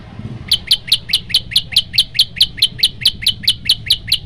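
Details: Yellow-bellied prinia song, a master recording to provoke other birds: a long, very regular train of clipped high chirps at about two per second, steady throughout, with a low background hum.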